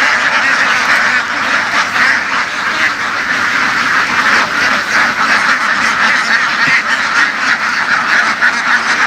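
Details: Many laying ducks kept on the move in fields of western Vietnam; a thick, unbroken wall of raspy quacking that swells and dips slightly over nine seconds.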